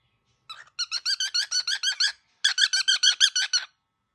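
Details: Very angry baby cockatiel in a room, giving fast series of harsh, grating chirps in two bursts of about ten notes each, separated by a short pause.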